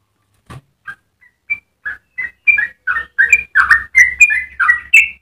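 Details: Yellow-vented bulbul singing a long, rapid 'ropel' phrase for tutoring other birds. It opens with sparse, soft single notes that grow louder and closer together into a fast run of liquid, gurgling slurs, with a faint low hum underneath.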